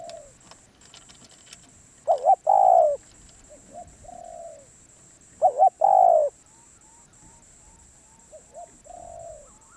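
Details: Wild Spotted dove, described as very persistent, utters two full cooing phrases, double note then long falling coo, amid quieter coos and faint high chirps. A constant thin whine and a few clicks are heard.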